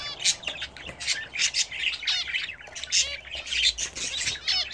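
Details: Pet budgerigars, given a bath for the first time, chatter without pause: quick high chirps, squeaky warbles and short scratchy squawks overlap in a lively stream, over a faint low hum.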